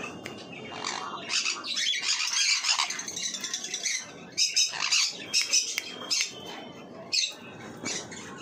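Marigold lorikeet giving harsh, screechy squawks and shrill chatter in rapid bursts, several overlapping, with brief pauses between volleys.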